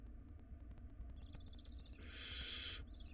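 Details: In a wild barn owl nest box, nestlings quarrel over a large rodent; soft clicks and a faint wheezy call lead into one long, loud rasping hiss near the end.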